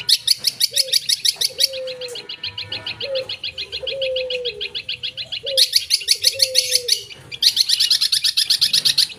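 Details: Cendet, the long-tailed shrike, pouring out full-fill song in bursts of fast, high, buzzy repeated notes, broken by quieter gaps where soft low whistled tones sound in the background.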